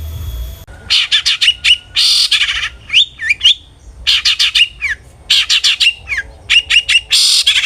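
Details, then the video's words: Long-tailed shrike song as a lure for aggressive singing: loud harsh rasping bursts alternating with rapid clicking trills and swooping whistled slurs, clean background. "PANCINGAN BURUNG CENDET GACOR jitu buat Pancingan Cendet Agar Bunyi EMOSI"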